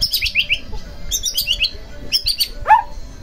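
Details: White-rumped shama song used as a lure to provoke another shama into singing: scattered sharp, descending whistled notes in quick bursts, ending with a lower rising swoop over a faint noisy background.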